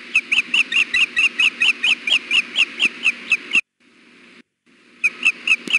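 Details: Osprey nest at Hellgate, June 6 2016, about 4 pm: the female begs insistently for fish as the male stands by. A steady train of high, shrill chirps runs for several seconds, stops abruptly, then resumes.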